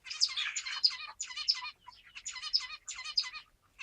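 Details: Zebra finch song made of rapid buzzy, harmonic syllables repeated in quick motifs about every half second, with a short break midway.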